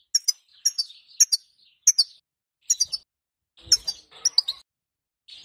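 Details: European goldfinch hen calling to stir a male into singing: sharp high twittering notes in small groups roughly every half second, with a short rustling noise near the end.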